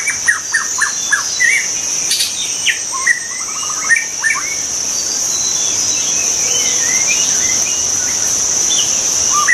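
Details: White-rumped shama in the wild: a run of quick, evenly repeated falling whistles and upslurred notes early on, growing sparser and fainter later, with a constant shrill insect hum behind.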